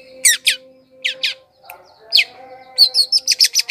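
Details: Long-tailed shrike song used as a lure to attract wild birds: scratchy descending sweeps, a pause, a sharp upslurred note, then a fast run of short clipped notes, over a steady low hum.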